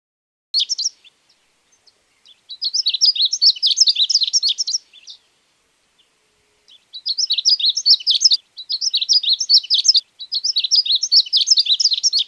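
Ultramarine grosbeak singing rich, high warbled phrases about two seconds long, repeated after short pauses, with no other sounds.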